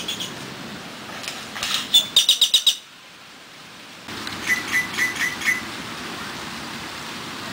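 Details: Great-tailed or common grackle, recorded mostly at Dallas Arboretum and Botanical Garden, Texas, gives a quick run of sharp, squeaky clicking notes, then a softer repeated burst.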